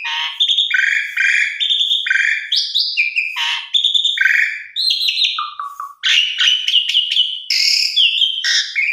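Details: An Asian pied starling pours out a non-stop jumble of clear whistles, slurred rising notes and harsh chattering bursts, bright and high-pitched, with no other sounds.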